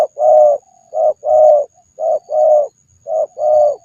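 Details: A spotted dove coos steadily: clear, low two-part phrases, a short note leading into a drawn-out purring coo, about one pair per second, close and loud.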